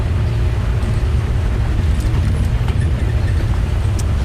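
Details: Steady deep engine drone from a vehicle on an afternoon safari drive, with faint scattered clicks and no animal calls.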